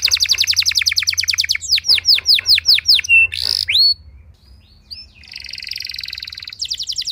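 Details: Canary song used as a lure to prompt other canaries to sing: rapid repeated descending sweeps around 2–8k, then a harsh buzzy burst, a pause, and fast trilled phrases, with low background hum throughout.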